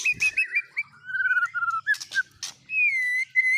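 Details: White-rumped shama (murai batu) song with isian mimicry of cililin, canary and lovebird: varied clear whistled notes, short rising and falling slurs, then a long steady whistle with buzzy bursts between phrases.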